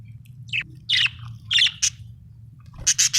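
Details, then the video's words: Budgerigar chirping: short scratchy chirps and squawky notes in bursts, some high and buzzy, over a steady low hum. "budgie chirping sound"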